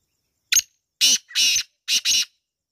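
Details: Loud, rasping call of a black francolin: a short sharp note, then two drawn-out grating notes, and finally two quick harsh notes close together, against silence.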